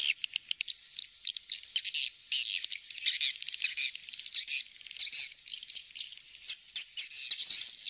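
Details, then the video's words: Swiftlet attraction call, "kings star" style: a restless stream of thin chirps and twittering bursts, uneven in loudness, with quick clicks between phrases. "suara panggil walet kings star"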